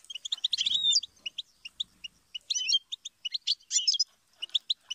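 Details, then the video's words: Twittering goldfinch song: dense high chirps mixed with buzzy, warbled phrases, delivered in uneven bursts with brief gaps between them. "Song of Motivation : inspiring Goldfinch Chirps And Sing"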